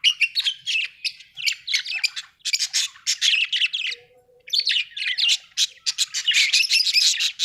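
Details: Budgerigar chirping steadily: rapid high chattering warbles and clicks in dense phrases, one brief pause midway, otherwise continuous.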